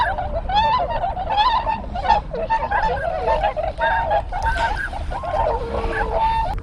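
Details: Tundra swans (Bewick's swans) gathered with pintail ducks at Sugo-swamp, Bando, Ibaraki, Japan, on 6 January 2020, taped by GoPro HERO7: loud, busy honking with many birds calling at once, clear trumpet-like notes and some wind.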